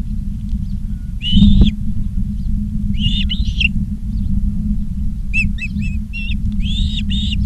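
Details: Scattered Osprey chirps from a Charlo, Montana nest camera, 19 August 2023, 16:05: a short whistled burst, a pair of notes, then a cluster of thin yelps and slurred whistles, with a low background drone.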